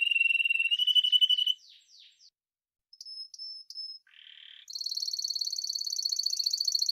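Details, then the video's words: Spanish timbrado canary singing a trill with falling notes, then near silence, a few high pips, a buzzy section, and finally a long, high, fast trill. "Timbrado تغريد جميل الكناري تيمرادو الإسباني"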